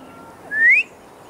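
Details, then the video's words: A male bobwhite calls loudly from a tree in Texas, whistling back and forth with a person in a mating call. One loud, clean whistle sweeps steeply upward, over a low, quiet background. "Sounds of a Male Bobwhite in Texas"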